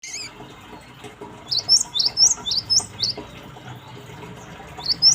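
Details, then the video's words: Cinereous tit lure song, played to make birds answer: a silent start, then a quick run of six sharp, high, down-slurred chirps about twice a second, and one more pair near the end over a faint, steady background hiss. "Pancingan Gelatik Batu"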